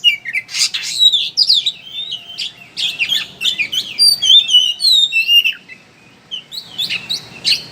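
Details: Lure song of an oriental magpie-robin, the 'ngeriwik' chatter meant to prompt birds to sing: rapid jumbled chattering mixed with high sweet whistled slurs, a short pause, then renewed scratchy bursts.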